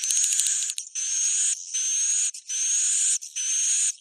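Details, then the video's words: Bhayangkari-style swiftlet roosting call: a brief clicking trill, then four even, rasping buzzy bursts spaced about 0.8 seconds apart. "Suara Inap Walet Bhayangkari"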